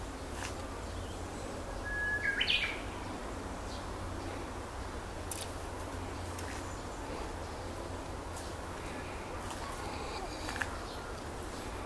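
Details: In an ecological garden, a Japanese bush warbler gives a single song: a held whistle that breaks into a short rising, twisting flourish, heard over steady low rumble and scattered faint clicks.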